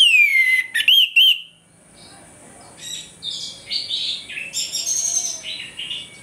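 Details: Morning song of an orange-headed thrush, played as a lure to rouse aggression: a long falling whistle and two looping whistled notes, followed by fainter, buzzier chattering phrases.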